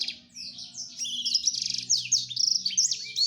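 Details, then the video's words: Courting male black-throated canary directing song at a female, a continuous rush of high, rapid warbled notes, sweeping whistles and quick trilled stutters with no pause. "Ocehan Blacstroat Male merayu Burung Female"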